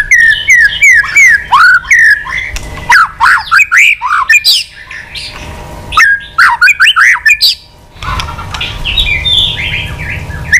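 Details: Old wild-caught white-rumped shama with a rich, many-voiced song, excited and tail-flicking, provoking rivals: loud, rapid, repeated slurred whistles and chattering phrases in quick bursts, then a softer stretch of high trilled notes.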